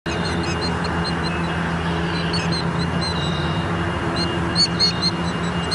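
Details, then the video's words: Agitated killdeer at Leach Park in Bettendorf, Iowa, 25 June 2014 at 8:43, giving short high sharp notes in scattered bursts, partly masked by a steady low traffic hum and rumble throughout. "killdeer bird getting mad"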